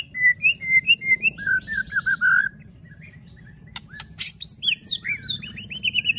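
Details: Caged white-rumped shama sings clear whistled notes in a steady series, pauses, then breaks into sharp clicks and a fast run of rising, chattering whistles.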